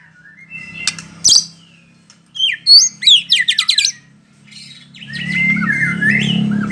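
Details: White-rumped shama of the Bahorok type, performing from a single spot: scattered harsh squawks and a loud rasping burst, then a quick run of sharp, high, varied whistled notes, ending in a drawn-out rising whistle over a low steady hum.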